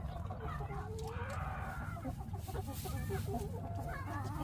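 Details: Chickens making a strange noise: rough clucks and short wavering mid-pitched calls come in uneven bursts over a steady low hum.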